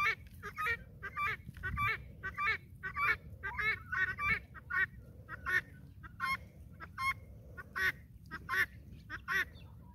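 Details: Guinea fowl flock kept on a farm, moving along behind a hen. Many coarse, scratchy calls repeat in uneven bursts over ten seconds, several birds overlapping, with light background noise and occasional low thumps.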